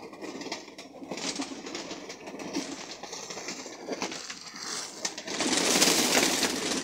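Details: Loft-kept domestic pigeons (Columba livia) cooing low and soft under steady rustling and scuffling, with a broad hiss of noise swelling near the end.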